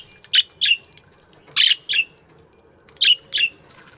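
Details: Aviary budgies chirping in the morning: sharp buzzy chirps in pairs, three pairs spaced about a second apart, each note bright and slightly descending, with quiet background.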